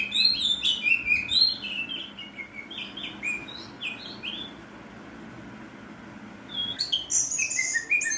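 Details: Harsh-style song of an oriental magpie-robin: rapid high chattering and squeaky slurred notes, a quieter gap in the middle, then a renewed burst of sharp buzzy phrases.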